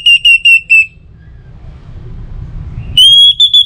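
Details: Orange-headed thrush used to coax other birds into regular song, North Bali: four clipped high whistles, a pause with low murmur, then a long sustained whistle broken into pulses.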